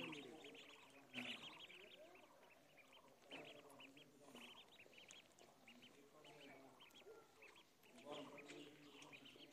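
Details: Several ducklings peep busily on a pond, thin high notes tumbling over one another, broken by a few sharp knocks and a lower murmuring undertone.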